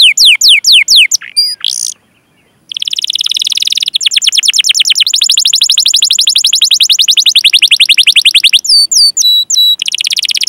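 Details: Long rolling canary song, gacor cuit-cuit style, a lure recording for canaries that are young or not singing: sweeping chirps, a short silent break, then an extended dense metallic trill broken by a few sharp whistled notes.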